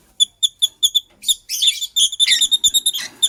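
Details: White lovebird pair chirping in the morning: a rapid run of sharp, high, clipped chirps, about three per second, breaking into a denser burst of harsher, overlapping chatter before the even chirping resumes.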